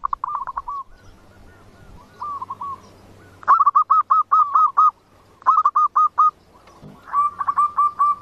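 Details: Zebra dove song used as a trapping lure: several separate bursts of quick, hooked cooing notes, some quieter and overlapping, over faint background hum.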